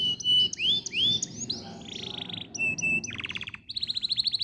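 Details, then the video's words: Tutor song of a canary for prompting other canaries to sing: loud slurred whistles rising and falling, buzzy rattles, steady held notes, then quick repeated high trills. "MASTERAN AMPUH BANYAK BURUNG KENARI CEPAT BUNYI GACOR DENGAN SUARA KENARI INI"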